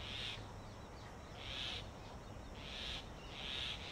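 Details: Male Grey Hornbill feeding his incubating mate through the mud-plastered entrance of their tree nest in Delhi during summer. Four harsh, hissing squeals, each about a third of a second, spaced roughly one second apart.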